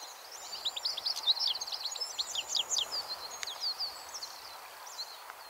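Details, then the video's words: A European goldfinch (Carduelis carduelis) sings from a thin branch at Fowlsheugh, a rapid, tinkling stream of high twittering notes and short trills, bright and liquid, over a faint background hiss. "Goldfinch (Carduelis carduelis) - singing"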